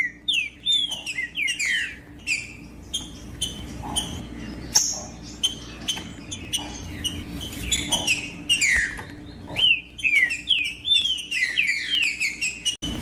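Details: Green-winged saltator singing, used to stir a quiet captive bird into song: a dense run of clear, slurred whistled notes, many falling in pitch, in quick overlapping phrases with brief pauses, over a steady low hum and faint room noise.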